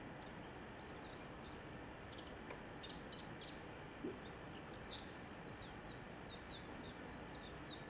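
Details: Japanese white-eye singing in a neighbour's tree: a continuous run of high, rapid, twittering and slurred notes, heard over a steady low roar of traffic-like background noise.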